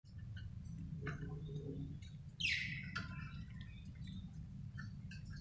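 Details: Happy pet budgie chirping indoors: a few short chirps, then one loud sweeping squawk falling from high to mid pitch, followed by quieter chirps over a steady low hum.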